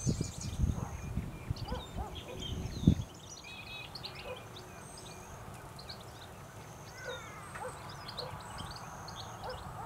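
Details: Male European goldfinch in early September 2017 on a weedy roadside in farmland at Richmond Lowlands, NSW: faint, quick, tinkling twitters and chirps throughout, with loud low rumbling and handling noise in the first three seconds.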